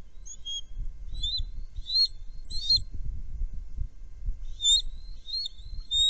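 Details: Bald eagles at a nest, three birds, calling after a threat is perceived: thin, high piping notes in short clusters, a burst of four then a pause and more, over low rumbling wind noise.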